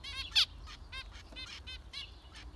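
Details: Close zebra finches uttering crisp, nasal beeping calls about every quarter second, one sharp louder note near the start, over a quiet background.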